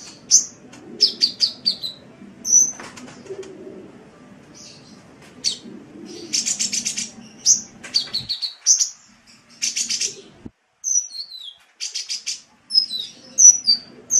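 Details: Sunbird singing on a tutor recording for pet songbirds: rapid high twittering bursts, thin whistled notes and buzzy rattles in irregular runs, with short pauses near eight and ten seconds.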